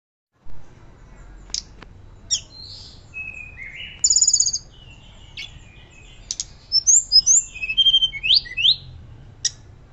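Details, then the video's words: Hill blue flycatcher in loud, active fluting song, kept as a master recording for training and prompting other birds: scattered high whistles, sharp rising and falling notes and a bright trill near the fourth second, separated by quiet pauses. "Tledekan Gunung Gacor Nyuling Keras Cocok Untuk Pancingan Dan Masteran"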